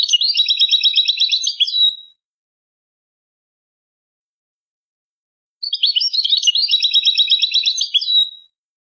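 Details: Goldfinch in the Jordan song style, recorded for tutoring: two long, rapid trilled runs of buzzy, rattling notes, each about two seconds, separated by over three seconds of silence.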